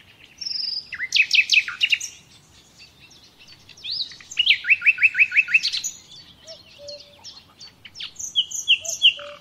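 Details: Common nightingale song used to train captive birds: varied phrases of sharp repeated whistled notes, a quick run of downslurred chirps, and soft low whistles near the end.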